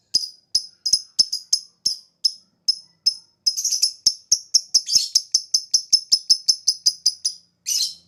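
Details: Ngetik ticking from a lovebird, played as a lure so other birds respond: quick, sharp, high clicks in irregular runs, briefly thickening into a rasping burst midway and ending with one harsh note.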